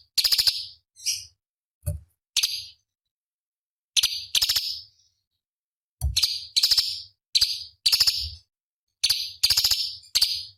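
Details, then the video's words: Cucak cungkok, a small songbird used as master song for competition birds, gives clustered high, piercing buzzy notes with ticking onsets, delivered in groups of two to four with short silences between. "Masteran Cucak Cungkok Istimewa ~ Isian Pedas Tajam Kasaran ~Tembakan Istimewa Masteran Burung Lomba"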